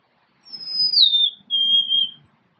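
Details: Golden-crowned sparrow singing one phrase: a long, high, pure whistle that slides down, then a held, slightly lower whistled note. Faint low rustling sits underneath.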